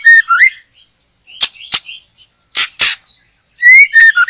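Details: White-rumped shama in a backyard during bird trapping, singing loud, varied whistled phrases with rising and falling notes, broken by sharp clicking bursts and short pauses.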